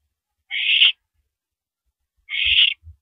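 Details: Owl screeches twice at a mouse delivery on April 13 2012, 9:17 PM: two harsh hissing calls about two seconds apart, with soft low thumps after the second.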